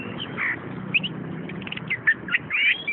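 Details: Orange-headed thrush, a kept collection bird, singing: scattered short whistled and slurred notes, some rising and falling, over a low hum.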